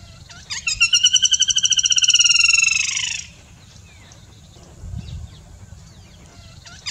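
A flameback woodpecker gives a fast, harsh rattling trill of about twenty-five notes over two and a half seconds, dropping slightly at the end, then quiet.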